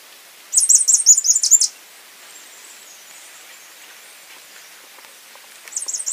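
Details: High, fast twittering song of a slaty flowerpiercer (Diglossa plumbea): a jumbled burst of squeaky, buzzy chips for about a second, then quiet, then the start of another burst.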